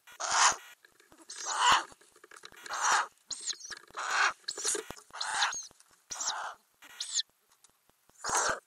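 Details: Ural owl nest box with growing owlets, recorded from a camera inside under the lid in May. Harsh hoarse hissing screeches repeated about every second, with faint thin squeaks in between.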